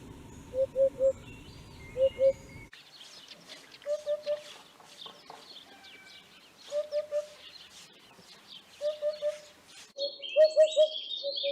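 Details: Eurasian hoopoe calling with mellow low hoots, first in pairs, then in triplets spaced two to three seconds apart, ending in a loud run of hoots, while small birds chirp and twitter in the background.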